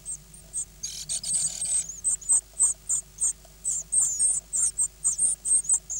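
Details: Begging brood of nine great tit chicks, hatched 16 May 2010, at feeding time: a short rasping hiss, then a steady run of piercing high cheeps, roughly two per second, with soft scuffling in the nest.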